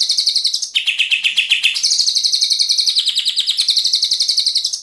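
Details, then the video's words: Murai batu song used to train birds in rapid 'tembakan' fill. A continuous string of quick repeated notes shifts pitch between low and high registers without pause. "Masteran suara tembakan rapat mantap"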